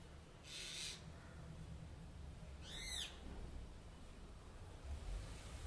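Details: Common myna in a terrace garden: a harsh, buzzy burst followed by a loud arched, harmonic-rich squawk, two calls across several seconds over steady low hum.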